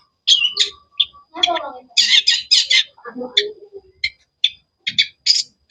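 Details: Cendet, the long-tailed shrike, chirping in sharp, varied bursts: short high notes, a lower warbled phrase, then a run of rapid loud buzzy chirps and spaced clipped calls with brief gaps.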